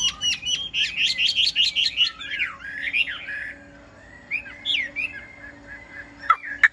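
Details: A caged yellow-billed Chinese hwamei, recently acquired and not yet singing confidently, on a rainy morning. A quick train of bright rasping notes gives way to slower slurred whistles, ending with two sharp clicks.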